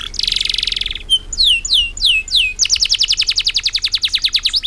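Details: Loud-singing canary with long-breathed song: a dense buzzy trill, then a series of descending whistled sweeps, then a rapid repeated rolling trill, all high-pitched and clear.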